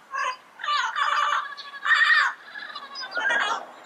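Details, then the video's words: Wild yellow-headed parrot calling: loud, grating, nasal squawks in drawn-out bursts about half a second long, repeated roughly every second, with faint high chirps from other birds. "Yellow-Headed Parrot Sounds - Natural Bird Calls and Songs in the Wild"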